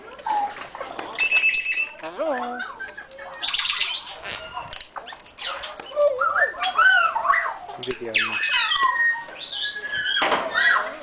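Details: Several African grey parrots in a large aviary at the National Parrot Sanctuary, Friskney, Lincolnshire, giving a busy mix of harsh squawks, rising and falling whistles and chattering, speech-like notes, overlapping from many birds throughout.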